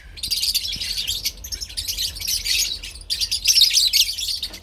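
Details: Parblue and opline lovebirds chatter in a continuous, high, scratchy chorus of rapid chirps, louder near the end of the short stretch.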